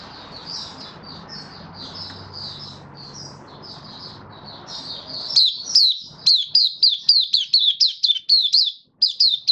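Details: White-eye in 'buka sing' opening song, recorded 18 May 2022 after regular deworming and supplements: soft, blurred high twitters over steady hiss, then a loud rapid series of sharp, down-slurred chirps.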